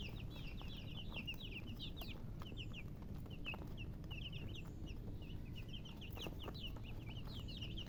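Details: Baby chicks cheeping continuously, many short high peeps overlapping in quick succession from several birds, over a steady low background hum.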